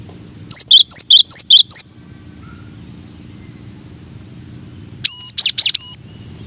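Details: Cinereous tit, called gelatik batu or gelatik wingko, giving a masteran song variation: six rapid bright two-note whistles, a pause, then a shorter run of ringing higher, harmonic-rich notes.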